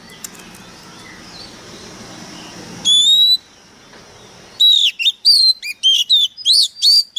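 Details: Oriental magpie-robin decoy bird singing fiercely: background hiss, then one clear rising whistle, a pause, and a quick series of loud, sliding whistled notes spaced about every half second.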